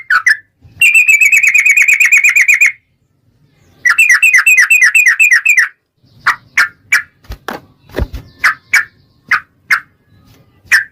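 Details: Yellow-vented bulbul, locally trucukan, in full energetic song used as a lure to draw others into singing: rapid bubbling runs of repeated notes in two bursts, then spaced single sharp chirps with some low knocking sounds.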